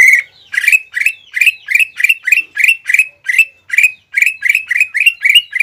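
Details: Greater green leafbird kept as a singing bird, pouring out a steady run of coarse, buzzy chattering notes, roughly three per second, evenly repeated throughout without pause.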